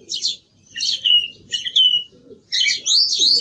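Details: Song thrush in song: short varied phrases of bright, slurred whistles and chirps, some notes repeated, separated by brief pauses.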